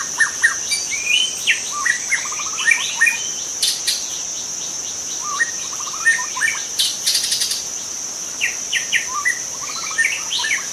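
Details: Forest-dwelling wild white-rumped shama song for luring other shamas: quick stepped notes and whistled slurs in bursts, with a constant shrill insect hum and brief loud buzzy insect bursts.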